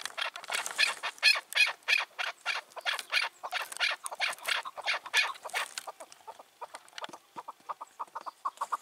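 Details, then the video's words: Wild chukar partridge, caught and released two years before, gives rasping broad-toned notes in fast succession, then switches to lighter, evenly spaced clucks; recorded in the evening of 4 June 2023. "Sevdiğim Keklik Sesi"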